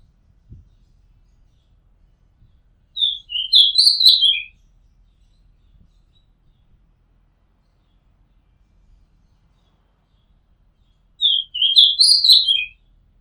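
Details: Oriental magpie-robin on a Thai home rooftop sings two similar phrases about eight seconds apart, each a rapid cluster of whistled, warbling notes dropping at the end, with quiet pauses between.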